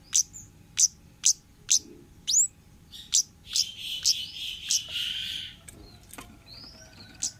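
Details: Orange-headed thrush, wild forest type, sung as a lure for young birds: a run of crisp high chirps about every half second, breaking into a longer harsh buzzy phrase, then sparse thin whistles.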